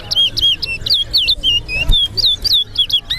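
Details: Quick, evenly spaced whistled phrases from a competing towa towa, each a bright note dipping and rising again, pouring out for three seconds at a Sheriff Street bird ground, Guyana, with soft voices underneath.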